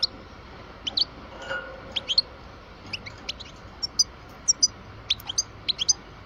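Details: Twelve-year-old European goldfinch of the parva type, a kept bird, giving scattered high, thin chirps and short twittering notes spread across the recording, with a steady low hum beneath.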